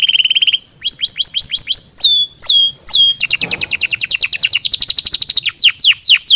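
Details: Canary song, bright and piercing. A steady tone opens into quick downward-swept notes, then a dense buzzy trill of very fast repeated notes and a final series of falling whistles.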